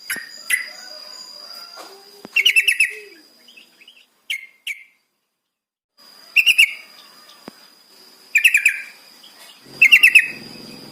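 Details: Yellow-vented bulbul song used as a lure to make captive birds start singing: bursts of rapid, bubbly chattering notes repeated in several short phrases with gaps between, and sharp single chirps; a steady high electronic tone runs through.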